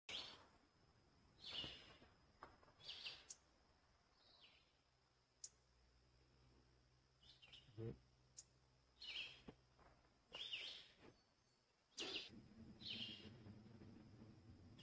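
White-breasted nuthatch giving short nasal calls in spaced bursts, several every few seconds, over a steady high hiss and low background rumble.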